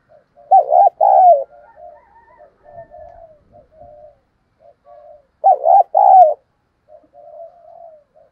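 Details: A decoy spotted dove coos excitedly, giving two loud, low double-note coos about five seconds apart, linked by soft, steady murmured notes.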